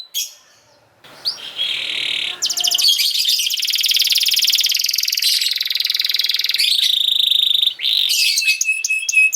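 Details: Canary singing as a training song for young canaries: brief soft notes and a short trill, then from about 2.5 seconds a long loud rolling trill of rapid pulses, followed by clipped chirps and fine repeated ticks.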